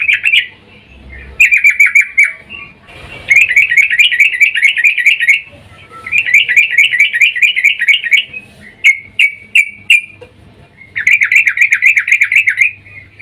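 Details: Sooty-headed bulbul female calling the male, in breeding mood, used as a lure: repeated loud bursts of rapid, bubbly chattering chirps separated by brief pauses, with a few single sharp notes between.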